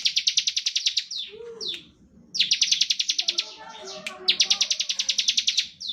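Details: Bar-winged prinia singing in the rapid 'ngebren' style, used as a lure to make other prinias sing; bursts of fast, buzzy chirps roughly a second long, repeated after short pauses, with a few slurred notes in between.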